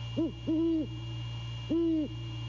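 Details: A male great horned owl on a late-night visit at 1:24 AM on 6 January 2022 gives three deep hoots, the first short, then two longer steady ones, over a constant low electrical hum.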